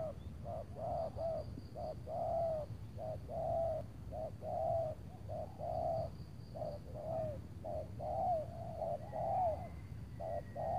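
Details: Spotted dove cooing on an overcast afternoon before rain near Tangerang, Indonesia, where a big-voiced wild bird is lured with a seasoned decoy dove; low, hollow coos in rapid uneven series, each phrase ending in a downward slur, with a steady high insect hum.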